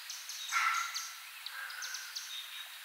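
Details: Chimney Swifts flying overhead in a Central/Eastern US spring backyard: sharp, high chips, some run together in fast twitters and others spaced out like laser fire; a lower, brief rasp early on.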